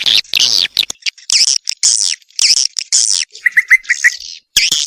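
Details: Swiftlet lure call of the style called Lidah API, used to call swiftlets: dense bursts of harsh, buzzy chirps and twitters, some short clear whistled notes near the end, separated by brief gaps.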